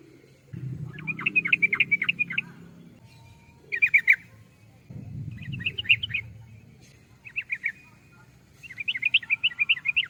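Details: Yellow-vented bulbul giving repeated bursts of rapid chattering, bubbly notes, five phrases with short gaps, accompanied by intermittent low rumbling noise.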